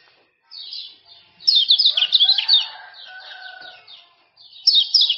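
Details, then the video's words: Male common iora, Lombok type, uttering speedy 'ciak ciak' calls to coax silent birds into song. Thin chirps build into a loud, busy burst, a quieter lull with a low whistle, then a fresh loud flurry. "Kecial Kuning Jos Super Speed Tanpa Ngeriwik"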